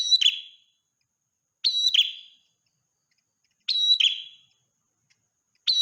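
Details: Ashy tailorbird, in full voice morning and night: sharp, high, ringing double notes, each ending in a quick falling buzzy tail, repeated roughly every two seconds against a silent background.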